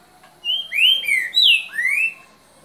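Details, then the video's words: Green-winged saltator giving its "boca mole" song, 3 January 2019 at 7:38 pm: one rich whistled phrase of about five sliding notes, falling then rising, ending on a long upward slur, over a quiet background. "CANTO BOCA MOLE - TRINCA FERRO"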